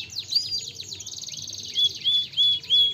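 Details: Canary song for stimulating a lazy canary to sing: a quick jumble of high chirps, then four clear, level whistled notes, each about a quarter second long, spaced evenly. A faint low hum runs underneath.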